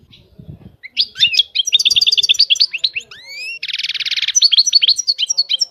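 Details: European goldfinch in full song, with quick tinkling twitters, two rising slurred whistles, a buzzy nasal rattle and fast chattering phrases that run on nonstop. Faint low thumps come at the start.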